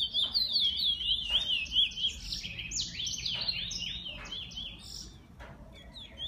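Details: Pet bullfinch singing: an opening rapid zigzag trill flows into jumbled high chirps and short descending notes, easing off toward the end.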